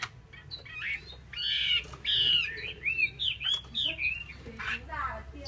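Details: Female Chinese hwamei making a run of loud, slightly harsh, arched whistled notes, about a hundred a minute and irregularly spaced, mixed with short rasping chirps over a low hum.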